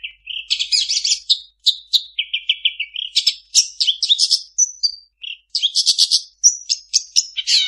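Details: Long-tailed shrike in continuous imitative song full of other birds' phrases: buzzy trills, rapid stuttering chirps and level whistles, changing pattern every second or so without long breaks.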